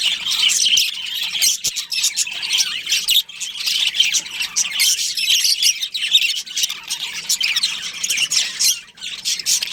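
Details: Colony of budgies with a breeding pair, chirping nonstop: a busy wash of bright, buzzy twitters and short squeaks layered from many birds, rising and falling in loudness.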